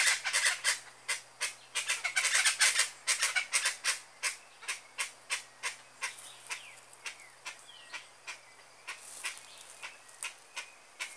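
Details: Chachalaca song in the wild: a dense burst of overlapping harsh, grating calls gives way to steady single raucous notes, about three every second, slowly fading.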